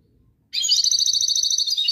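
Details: European goldfinch song: after half a second of quiet, a dense, bright, rapid tinkling twitter of high trilled notes runs steadily to the end without pause.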